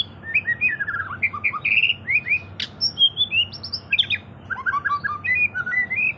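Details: Lively White-rumped shama singing as a lure for other birds: rich sequence of warbled whistles, buzzy notes and upslurred phrases, one sharp click midway, set against a constant low-pitched hum.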